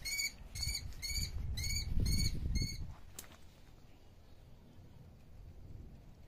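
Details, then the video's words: A bird of prey in Iran gives six sharp, harsh, high notes in quick succession, about two to three per second, over a low rumble of wind, then falls silent. "sound of birds of prey"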